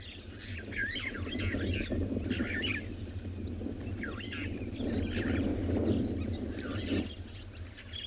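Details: Starlings chatter in quick, squeaky, rising and falling notes at Chitwa Dam in Africa on a 10 September 2020 afternoon game drive. Pigeons are also around, and the low rumble is the wind picking up.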